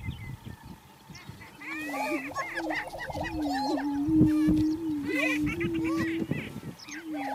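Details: Male greater prairie-chicken displaying close to a blind in low early-morning sunlight, inflating his air sacs. He gives a steady, low moaning boom from about 1.5 to 7 seconds, overlapped by higher cackling and whooping calls.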